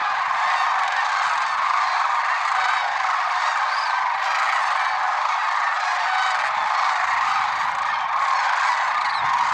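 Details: Lesser sandhill cranes in the early morning at Merced National Wildlife Refuge, February 6, 2023, a big flock calling nonstop; rolling bugled notes pile up into a steady chorus with a few clearer high calls.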